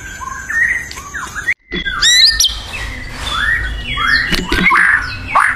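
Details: White-rumped shama singing vigorously in the wild: varied whistled notes and short rising and falling slurs, a brief silent break near the start, then fuller, louder phrases over low background rustle.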